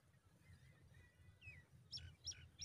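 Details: Pipit chicks in the nest being fed fresh food by their mother: faint thin whistled notes early on, then three sharp, high chirps in quick succession near the end, over a low rumbling background.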